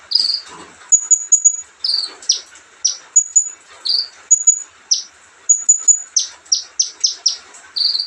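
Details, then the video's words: Steady, relaxed song of an olive-backed sunbird: high piercing pips, buzzy slurred notes and a closing burst of five quick downward strokes. "kicauan santai Kolibri ninja"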